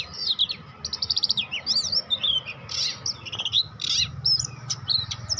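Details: Young Oriental magpie-robin just starting to learn its song: rapid trilled bursts, twisting whistles and buzzy chirps in loose, uneven phrases, over a low steady hum.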